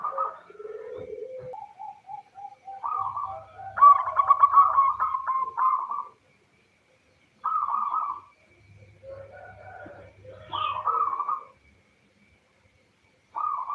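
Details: Female local zebra dove calling for the male, played as a lure to start males singing: repeated short cooing bursts, one run of quick stuttering notes, then brief phrases spaced by silent gaps, with a faint low hum at times.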